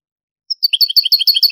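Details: Goldfinch singing in the Granada style on a digitised 1980s–90s Spanish cassette: a single high introductory note followed by a rapid, lively series of bright chirped syllables.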